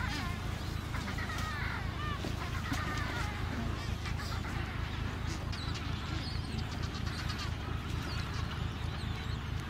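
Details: Breeding colony of Adélie penguins on Paulet Island, Antarctica, 1 February 2019, with about 150,000 pairs: many squawking, grating calls overlap continuously above a constant deep background drone.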